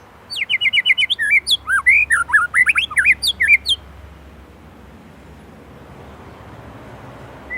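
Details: White-rumped shama from Indonesia in full song with rich fill phrases: a fast run of varied whistled, slurred notes sweeping up and down for about four seconds, then quiet room hiss.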